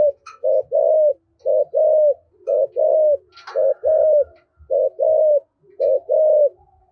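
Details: Decoy spotted dove with a 'giọng thổ' voice coos in steady pairs: a short clipped coo, then a longer arched one. The pairs repeat about every second, with a faint higher note near the middle.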